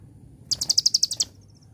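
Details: Brief celilin-style phrase of the konin sunbird: about nine sharp, high notes in a quick, evenly spaced trill, ending with faint soft ticks.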